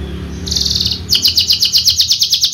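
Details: Javan Horsfield's bushlark used in song contests: a short buzzy phrase, then loud sharp metallic chirps repeated in quick succession, about six per second.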